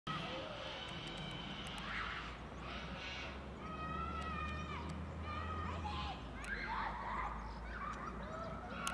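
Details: Yellow-legged Gull (Larus michahellis) giving harsh, nasal, slightly falling calls in short series over steady traffic rumble, with faint voices, at Ljubljana Botanical Garden, 2 February 2024.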